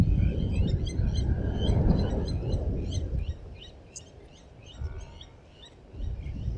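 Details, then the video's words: At Djuma Private Game Reserve, blacksmith lapwings guarding their nest sound a fast series of sharp, ringing clinks, dense for three seconds and then sparser, against a low background rumble. "Чибисы-кузнецы защищают свое гнездо"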